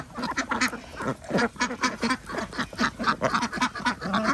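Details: Ducks on a village organic duck farm in Andhra Pradesh during feeding time; loud, harsh quacks in quick succession, several per second, forming a steady noisy clamour from the flock.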